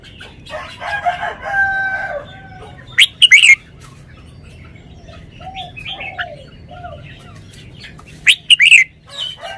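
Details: Caged red-whiskered bulbul displaying its song phrasing: its loud sharp chip-and-warble phrase sounds twice, about five seconds apart, amid softer chattering and whistles from other nearby birds.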